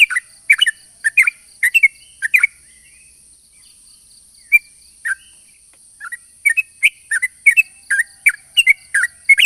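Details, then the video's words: Sooty-headed bulbul singing a long rapid lure song for other bulbuls: a burst of fast chirpy notes, a sparse middle stretch with single notes, then another dense chattering run, over a constant high whine. "pancingan burung trucuk gacor ropel panjang ini bikin semua burung trucukan yaut seketika"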